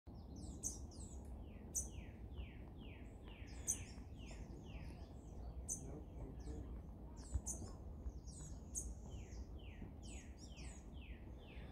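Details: A Prothonotary Warbler sings a loud series of ringing, down-slurred notes, about two per second, over steady low rumble and high chips from other birds.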